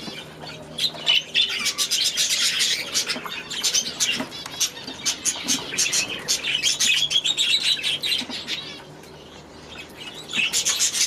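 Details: Aviary budgerigars chatter together in layered squeaky chirps and rolling warbles. The chorus swells through the middle, drops quieter near the end, then picks up again briefly.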